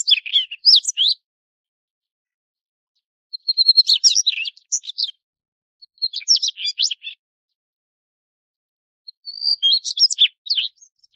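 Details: Daurian redstart (Phoenicurus auroreus): four separate bursts of high, sharp chirps and scratchy twitters, each about a second long, coming roughly every three seconds against a silent background.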